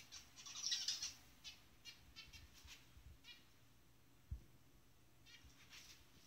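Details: A pair of zebra finches in the jungle give short, high, nasal chirps in quick bursts, with some wing fluttering.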